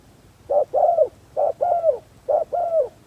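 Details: Spotted dove kept as a decoy for luring wild doves, producing three low two-part coos, a short opening note and a longer, softly falling second note, about one per second.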